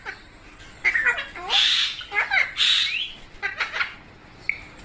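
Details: Pet parrot (mitthu) with bursts of short chattering notes and two long harsh squawks, followed by softer clicks and a brief whistle, heard indoors.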